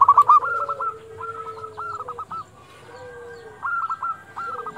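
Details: Zebra doves of local stock at dusk, recorded to arouse other doves: quick clipped coo notes in short bursts, a loud stutter at the start, soft lower drawn tones between phrases.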